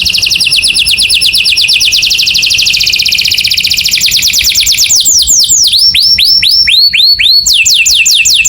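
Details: Canary morning song: a long fast rolling trill of dense repeated notes for about five seconds, then a series of clear downward-curving whistled notes repeated roughly twice a second.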